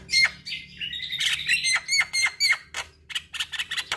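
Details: Javan myna song for rousing a stressed bird that has gone quiet: a squeaky, squawking phrase with nasal whistles, then a fast series of short sharp chirps, with faint low hum beneath.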